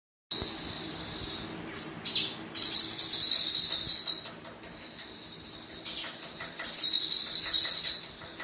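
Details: Male Javan bush lark, a kept cage bird, singing dense high buzzy trilled phrases, each one to two seconds long, with sharp rising notes between them and brief pauses, over a faint low background hum.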